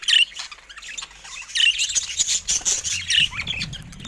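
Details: Caged budgerigars warbling in high, quick chirps and short squawks, with buzzy notes and light clicking.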